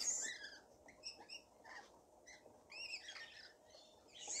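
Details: Rainbow lorikeets in a feeding frenzy: a flock gives short, harsh, high screeches and chattering notes in irregular bursts, several birds overlapping, with a steady low background hum.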